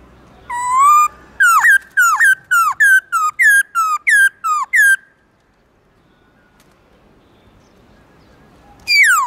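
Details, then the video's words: A black-throated laughingthrush sings its forest-voice morning song. A rising whistle starts a fast burst of about eleven loud, swooping notes. A few seconds of quiet follow before another strong whistle begins. "Khướu bạc má HÓT GIỌNG RỪNG buổi sáng"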